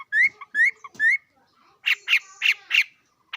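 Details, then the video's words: Bird call: three rising whistled notes, each ending in a slurred upturn, followed by four hoarser, buzzy notes evenly spaced about a third of a second apart. "Coob quaj zoo heev li"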